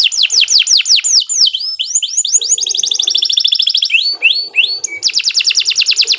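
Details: Canary song used as master training for contest birds: sharp, high, fast repeated downslurred notes giving way to rapid buzzy trills and rolling runs, continuous and loud throughout.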